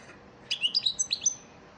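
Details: European goldfinch, elmacık type, singing a lesson song for caged birds: six quick, bright chirping notes in a rising-and-falling twitter.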